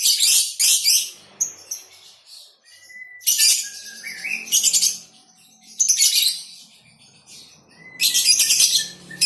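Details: Lovebird colony with female 'konslet' chatter: loud, dense, buzzy chattering bursts every two to three seconds, broken by short thin whistles in the quiet gaps.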